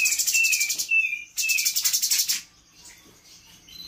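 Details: Trained captive spotted blue-winged leafbird with mimicked fills. Two long rattling, buzzy bursts are laced with sliding whistles, followed by a quiet stretch with soft faint notes.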